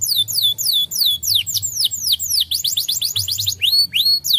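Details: Canary singing as a lure for lazy canaries: a series of clear, high whistled notes sweeping downward, repeated about three times per second, then a quicker burst of short notes and a few longer falling whistles.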